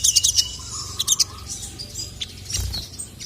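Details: Sogon, a female calling a male that replies angrily; quick clusters of high, sharp chirps at the start and after one second, then fainter twitters over background noise.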